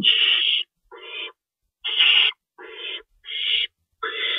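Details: Owls at the nest while being fed in the night of March 25, 2012, an adult shredding rabbit: six rasping hisses, alternating louder and softer, separated by short silences.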